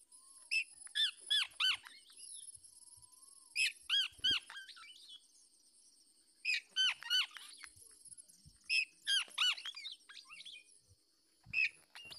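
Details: Black-naped oriole parent fending off a male trying to take its chick. Harsh, descending nasal calls come in bursts of three to five, separated by pauses of a few seconds, over a faint high hum.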